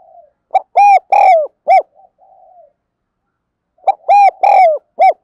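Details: Spotted dove cooing used as a decoy and for voice training of newly caught birds: two phrases of about five rich, hollow coo notes each, some long and drawn, separated by a pause of over a second.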